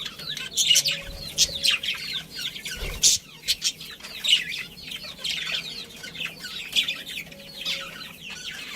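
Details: Colony of pet budgerigars including a breeding pair, chirping constantly: many overlapping high warbled chirps and short twittering notes from several birds, with occasional louder sharp calls and soft rustling.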